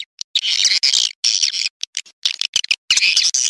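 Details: Swiftlet calling sound played through an amplifier to lure swiftlets: bursts of harsh, buzzy, high chattering, broken by short silences, each burst lasting a fraction of a second, no other sounds heard.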